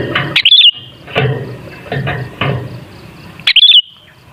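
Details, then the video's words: Sooty-headed bulbul song used to lure other bulbuls to sing: two short, chirpy warbled phrases about three seconds apart, with several dull low knocks in between. "Suara Burung Kutilang Sangat Ampuh Untuk Pancingan Jadikan Kutilang Ngamuk Gacor"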